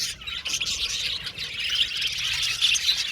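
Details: Budgerigars in an aviary colony: dense, overlapping high chirps and warbles, a continuous chattering wash with quick rises and falls and no pauses.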